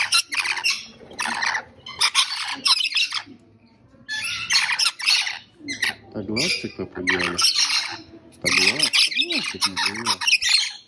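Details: Rainbow lorikeet (Trichoglossus moluccanus) giving harsh, raspy screeching squawks in rapid bursts with short pauses between them, mixed with lower warbling, chattering notes.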